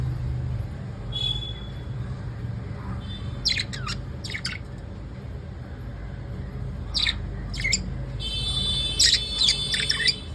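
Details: Pet lovebirds at evening utter scattered harsh squawks in pairs, along with thin, steady whistled tones, over a constant low hum.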